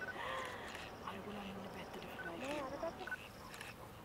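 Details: Greater flamingo flock, dry-season migrants fishing in the lagoons of Mannar Island in Sri Lanka, over 6000 birds. Overlapping nasal, gabbling honks, some rising and falling, follow each other rapidly through the whole stretch.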